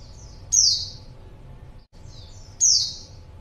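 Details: Female white-eye call meant to attract a male: two sharp, very high whistled notes sweeping downward, about two seconds apart, with softer faint notes before each.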